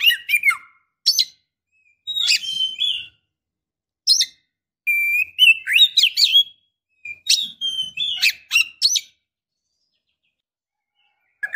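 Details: Calling female Oriental magpie-robin, in breeding condition, seeking a male: irregular bursts of sharp chips, short whistles and warbled phrases separated by brief pauses, ending in a long silence.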